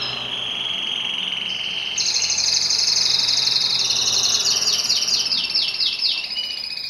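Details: A yellow domestic canary sings a bright, high, rolling song of rapid trills and quick repeated downslurs.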